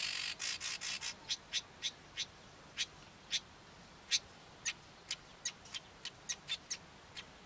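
A male Cape weaver sings a harsh, sizzling run: a quick cluster of buzzy notes, then scattered dry, wheezy chips at an uneven pace over quiet background hiss.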